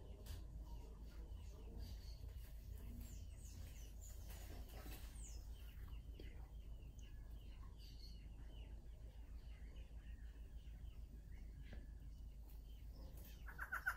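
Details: Male and female Barred Antshrike pair in tail-shaking display and song, close up: a fast series of short, nasal, evenly spaced notes, fairly faint over a low rumble and other soft bird calls.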